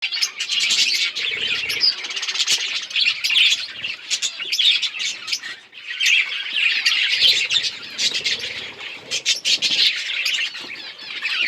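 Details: Several budgerigars playing with each other, giving a dense, continuous flock chatter of quick high chirps and warbles, overlapping without pause, with brief scratchy squawks and faint wing flutters.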